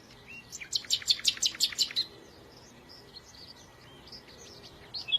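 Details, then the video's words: Bird song with a brisk trill of ringing high notes for just over a second, followed by soft scattered chirps and whistles from birds in the background. "إذا كنت تعشق سماع تغريد العصافير فلا تشتري قفزا فديو لعشاق تغريد العصافير"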